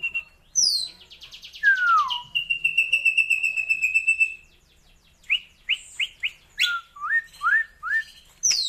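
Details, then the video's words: Raja perling, the Asian glossy starling, in elaborate varied song: a buzzy high trill, long descending whistles, then a series of quick upslurred and downslurred whistled notes. "BURUNG RAJA PERLING ISIAN MEWAH UNIK"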